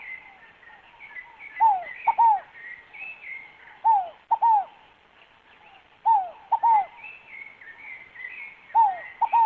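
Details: Scaled dove, called fogo-apagou, repeating its three-note cooing song four times: descending hoot, short clipped note, second descending hoot, phrases spaced about two seconds apart, with steady higher chirping and whistles from other birds throughout.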